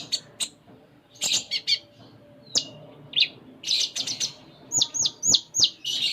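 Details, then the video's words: Konin, or Sunda minivet, in energetic 'full isian' song: scattered sharp high chirps and clicks, then four quick hooked whistles in a row, ending in a dense warble. "Konin Gacor Full Isian"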